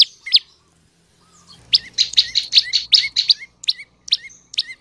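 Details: Olive-backed tailorbird song used as a lure to get male and female tailorbirds singing quickly: after a single chirp and a short pause comes a rapid burst of bright, piercing notes, then a few spaced chirps.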